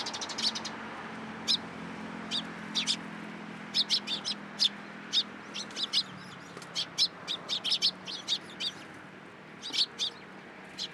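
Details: Sparrows coming onto a hand for food at a Tenmangu shrine, 14 April 2023: crisp, high chirps repeated irregularly throughout, sometimes in quick pairs or triplets, against a quiet background.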